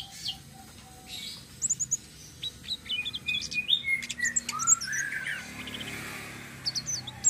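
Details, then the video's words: A flowerpecker's rolling song, used as bait for other birds: scattered high, sharp ticks and twitters that thicken into a fast jumbled burst midway, then thin out into a few final high chips. "BURUNG TLEDEKAN SITRUN SELENDANG BIRU NGEROLL||BISA BUAT PANCINGAN"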